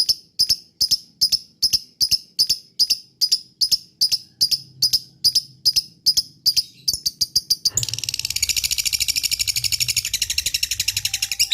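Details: Lovebird lure call meant to make other lovebirds answer and chatter: sharp high chirps repeated about twice a second, then a dense, fast, buzzy ngekek chatter fills the last few seconds.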